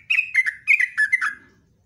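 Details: A caged sooty-headed bulbul (trucukan) delivers a fast string of clear, falling whistles in two quick phrases, then falls silent.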